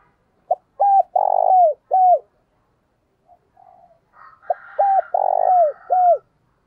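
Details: Spotted dove used as a decoy, cooing to lure wild birds: a clipped opening note then arched coos around a drawn-out burry coo, the phrase given twice with a gap, soft chirping birds in between.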